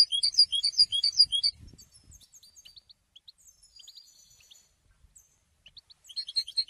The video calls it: Golden songs for goldfinch voices for education and training